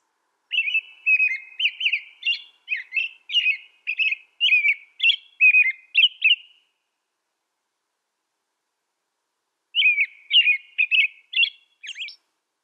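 An American robin gives a run of short, clear caroling phrases, rising and falling, nearly two a second, then pauses and resumes. No other sounds intrude.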